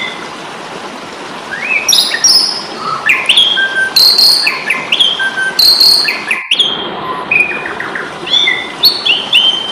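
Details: An Asian pied starling (jalak suren, Indonesia) delivers a fighting song meant to tutor caged birds: varied rising whistles, short buzzy bursts and loud chattering notes in quick succession, with a momentary dropout.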